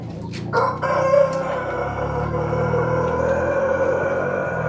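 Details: Pelung chicken crowing: one long, sustained, harmonic-rich crow that starts sharply and holds a steady, slightly wavering tone for about four seconds over low background hum.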